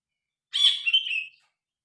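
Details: Grey-cheeked bulbul in a phone recording gives one short harsh chattering phrase that slides slightly downward, under a second long.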